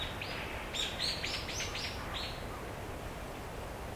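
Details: A male red-flanked bluetail in a park in Noda, Chiba, Japan gives a quick run of about eight high, thin chirping notes over two seconds, over a steady low background rumble.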